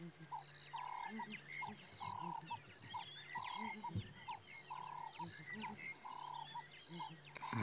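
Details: Southern ground hornbills in the wild at Djuma Game Reserve, 19 February 2017, late morning, distant groups responding. Low, hollow hooting booms come in regular groups of notes, with a busy chorus of other birdsong above them.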